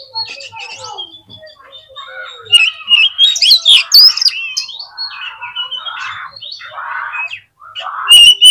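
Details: Oriental magpie-robin lure singing to excite other magpie-robins: softer, mixed warbles and whistles with throaty lower notes, rising to a louder jumbled passage before a final bright whistle.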